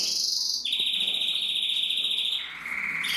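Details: Red agate mosaic canary singing steady, rapid high trills: a bright buzzy roll that drops abruptly to a lower sustained trill, then steps down again near the end, with faint higher notes on top and no other sounds.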